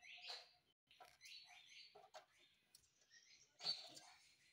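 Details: Pet parrot, said to speak the words "Mummy" and "Papa"; here a quiet run of short, high squeaks and scratchy chirps in uneven bursts, ending with a louder harsh, rasping squawk.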